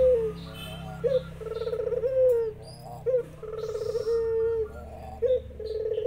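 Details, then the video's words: Spotted dove, a local bird, in full voice while zebra doves reply: short rising notes lead into long purring, pulsed coos and smooth sustained hooting tones, the pattern repeating about every two seconds. "Burung Puter lokal gacor burung perkutut tekukur tikukur deruk derkuku titiran ikut nyahut"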